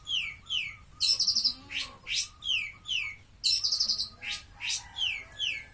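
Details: Being sunned in its cage, a long-tailed shrike sings a varied 'grojogan' song: clear down-slurred whistles alternate with bursts of harsh, rasping high notes and upward sweeps, phrases repeated about every second.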